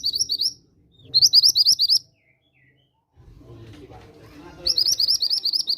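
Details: Mountain bushchat lure recording used to stimulate singing: bursts of rapid, high, sweet chirping notes in phrases about a second long, separated by pauses; low background rumble fills one gap.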